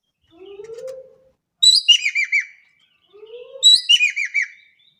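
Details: Javan kingfisher, an Indonesian bird, calling vigorously: two harsh rattling series of curved notes, each preceded by a soft rising low whistle from another bird.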